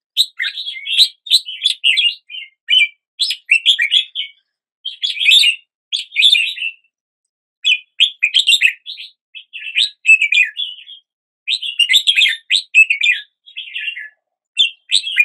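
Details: A red-whiskered bulbul delivers a long series of lively, chattering warbled phrases, repeated with short pauses between them, in an otherwise quiet setting.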